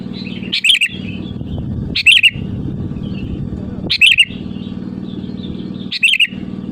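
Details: Sooty-headed bulbul song used as a lure to call rivals: four short, bright bubbly phrases about two seconds apart, each a quick burst of liquid notes, over a steady low engine-like hum.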